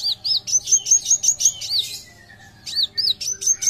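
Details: Van Hasselt's sunbird singing energetically, used to train and lure other birds: rapid series of very high, thin arched chirps and sharp upslurred notes, about three per second, with a short pause midway before the phrases resume.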